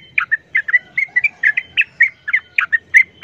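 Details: Loud bubbly chirps from a sooty-headed bulbul in fighting-style calling against a wild bulbul, roughly four a second, with a faint steady whistle-like tone underneath and low background rumble.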